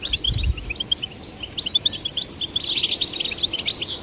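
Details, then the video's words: Goldfinch chicks, male and female, encouraged to sing; sparse high chirps at first, then a denser run of tinkling, rising and falling twitters in the second half, with a brief low thump near the start. "Stimulating male and female goldfinch chicks to sing birds chirping"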